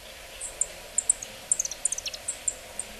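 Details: A yellow-throated bunting calls, with audio taken from a Bird Research call guide: about a dozen thin, very high, sharp ticks in three seconds at an uneven pace, over soft background hiss.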